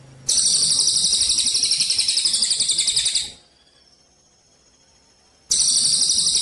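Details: Eurasian tree sparrow, Cililin type, in a 'kapas tembak' song style, a training recording for songbird contests with pauses: a very high, rapid buzzy trill of fast pulses lasting about three seconds, a silent gap, then the trill resumes.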